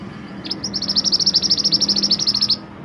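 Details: Mantenan gunung singing, recorded as master song for training songbirds: a rapid trill of about twenty sharp high chirps, evenly spaced over two seconds, with a faint low hum underneath.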